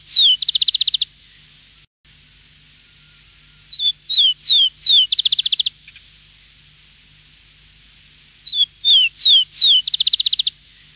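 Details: A rufous-collared sparrow (chincol) in Antofagasta, Chile, sings a few high, slurred, falling whistles, then a quick buzzy trill, repeating about every four seconds against a quiet background.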